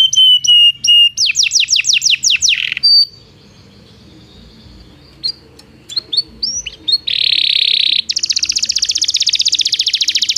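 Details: Belgian canary song meant to train non-singing canaries: steady whistles and a quick roll of falling sweeps, a pause of near silence, scattered chips, then dense buzzy trilled phrases pulsing rapidly to the end.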